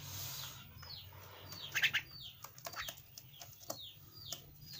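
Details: Caged young Javan myna pet uttering repeated high, falling chirps at roughly half-second intervals, broken by a burst of loud sharp clicks midway, with a low hum underneath.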